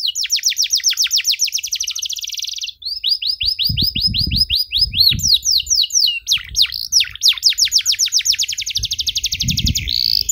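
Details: ;Canary in loud, long-running song with a luxurious cengkok style, used for training young canaries: rapid tours of high repeated chirps that switch between syllable types, with soft low thumps near the middle and end.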